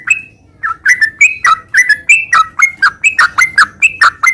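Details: Sooty-headed bulbul in continuous, lively 'ngeropel' style song: short bubbly whistled notes, rising and falling, repeated about three times a second after a brief opening note.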